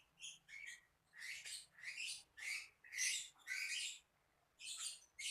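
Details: Lovebird giving a string of rasping, scratchy chirps in uneven bursts of about half a second, roughly two per second, with short gaps of quiet.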